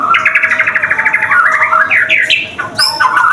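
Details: White-rumped shama song used as a lure to prompt other shamas to sing: a rapid run of repeated bright chirps, then rising whistled sweeps and sharp high upslurs, with a steady faint hum underneath.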